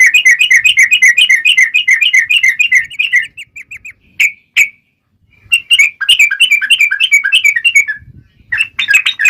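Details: Yellow-vented bulbul singing a long, fast rolling song meant as a lure to draw other bulbuls into answering; rapid chattering whistled notes, a brief pause, then further bubbly phrases.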